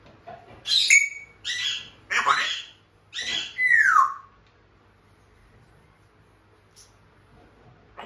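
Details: Pet African grey parrot talking like a human: a string of four quick speech-like syllables, the last sliding downward, followed by several seconds of near silence.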